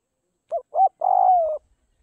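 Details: One clean spotted dove coo from a Tây Bắc (Northwest) bird being tamed by feeding: a short rising note, a louder arched second note, then a long breathy coo gradually lowering in pitch, with faint low thumps at the end.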